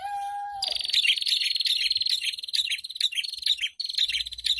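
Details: Prinia chorus (ombyokan) meant to spur caged birds into song. A short low whistle opens, then dense high rattling trills of quick repeated notes pour out almost without pause.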